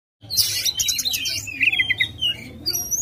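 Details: White-rumped shama singing aggressively with tail spread, used as a lure to make a lazy shama sing; varied whistled phrases and rapid high chattering notes, sliding whistles near the end.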